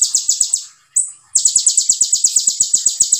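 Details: Brief tembakan burst by an olive-backed sunbird (konin): a fast pulsed high trill, a single slurred whistle, then another quick, evenly spaced trill of sharp notes.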